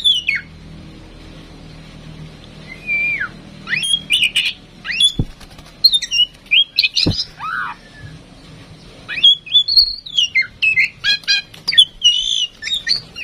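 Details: Captive female oriental magpie-robin, tame and in full voice, used to spur other birds into song, gives a varied string of sweet whistles, falling slurs and short harsh chips with brief pauses.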